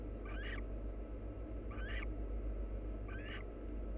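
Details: Barn owls, a wild pair, preening one another: three short, hoarse rasping calls with a brief rising sweep, roughly every one and a half seconds, against a steady low hum.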